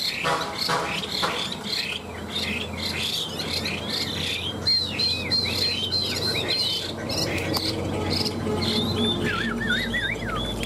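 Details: Two caged Chinese hwamei, kept tame three years, sing against each other: dense varied twittering, then repeated looping high whistled phrases and lower wavering whistles toward the end.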